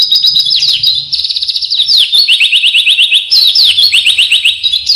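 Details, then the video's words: Persistent isian song of an oriental white-eye: rapid, high-pitched twittering packed with quick descending chips and fast trilled runs, barely pausing, with a soft low background hum. "isian burung pleci gacor"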